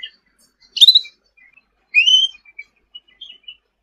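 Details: Sooty-headed bulbul singing actively for songbird tutoring: a sharp bright chirp, a pause, then a clear upslurred whistle followed by a few soft scattered notes.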